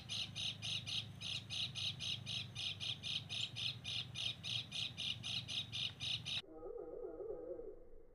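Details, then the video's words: Sogon bird calling on a mountain during bird luring: a fast, regular series of scratchy high squawks, nearly four per second, ending abruptly and followed by a muffled, lower wavering trill. "mikat burung sogon di gunung"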